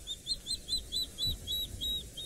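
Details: Water thick-knees at Chitwa Dam, Djuma Game Reserve, South Africa, at sunset on 20 Aug 2017, several present, calling unusually: a run of clear, high whistled notes, about four per second, evenly repeated; faint low rumble.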